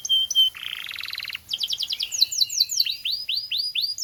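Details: Canary tutor song for young canaries: a level whistled tone, a buzzy rolling trill, a fast high trill, then spaced upward-swooping whistles about three per second.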